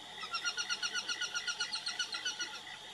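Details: Aplomado falcon (Falco femoralis) calling: a fast, even series of about sixteen harsh, nasal notes, around six per second, holding steady loudness throughout, over a faint background hiss.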